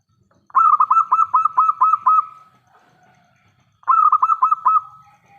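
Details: Local zebra dove in full song, a big-voiced lure meant to make other doves reply: two strong bursts of rapid trilled cooing, the first nearly two seconds long, separated by a quiet pause.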